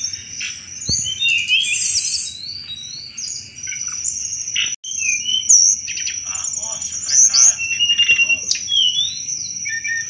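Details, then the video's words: Sunda robin in full chattering 'cetrekan' song, a recording meant to attract thrushes; rapid twittering phrases, short slurred whistles and dry rattles with a constant high-pitched drone behind, one brief dropout midway. "tledekan gunung gacor cetrekan"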